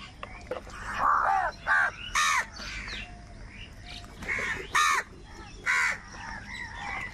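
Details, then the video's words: Many crows fighting for food: scratchy caws, then several loud, abrupt, rasping outbursts about a second apart, with quieter cawing continuing behind. "কাকের ডাক Crow Sound Crow ki Awaz Loudly | Huge Numbers of Crows Crowing and Crying sounds"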